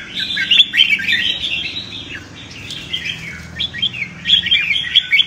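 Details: Red-whiskered bulbuls singing a competitive fighting song, used to stimulate birds in training: chattering, bubbly whistled phrases, a softer lull midway, then a renewed burst of sharp upswept notes.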